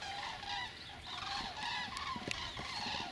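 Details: Migrating common cranes passing over an apiary on 1 November 2015: many overlapping trumpeting, rolling calls from a flock, continuous and layered, with a steady background hiss and a few faint clicks.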